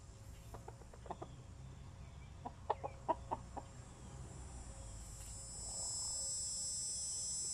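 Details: Backyard chickens dust bathing make soft short clucks in scattered bursts, several quick notes clustered mid-clip, followed by a steady high hiss and low background rumble.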